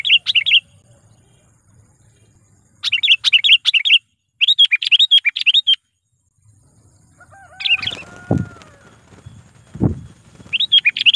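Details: Sooty-headed bulbul used as a trained lure bird, calling to draw in wild rivals; rapid runs of bright chirping notes in bursts, with pauses, two dull thuds and a brief faint whistle in the middle.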